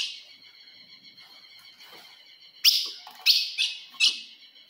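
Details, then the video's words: Provoking call of a female ultramarine grosbeak toward a male: a thin, steady, fading high tone, then four bright chips given in quick succession. "se o seu azulão não segura fogo de fêmea"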